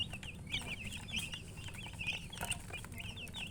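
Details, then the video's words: A brood of chicks chirping: bright, high, slurred peeps in quick succession from several birds at once, set against a low droning background noise. "Baby "Chicks Chirping""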